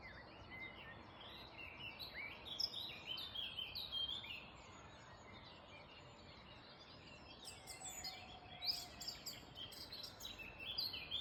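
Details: Early-morning birdsong in the Black Forest: a chorus of high chirping and twittering phrases, busiest in the opening seconds and again near the end, over a constant soft rushing background noise.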